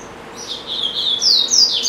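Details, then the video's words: Pet double-collared seedeater in a cage, said to sing even while being filmed: buzzy high notes leading into strong descending whistled slurs, steady and clear with little background. "Coleiro Bravo - Canta Muito"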